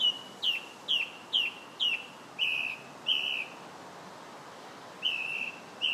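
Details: Song thrush singing in July: a clear whistled note repeated four times in quick succession, then a lower, longer slurred phrase given twice and repeated again after a pause.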